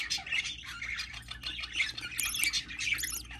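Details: Budgerigar at hatching: busy, scratchy high squawking that barely pauses, with a few sharper, louder shrieks near the end, against a faint steady hum.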